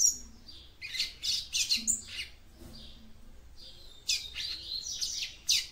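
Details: Female Yellow-bellied Seedeater singing to stimulate a male: clustered high chirps and squeaky notes in two lively bursts, separated by a quieter pause, over a faint low hum.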